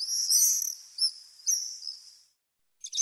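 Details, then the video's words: Common house martin song: loud, bright high twittering with quick chirps and short trilled notes, fading out, then a short final chatter after a gap of silence. "Пение городской ласточки"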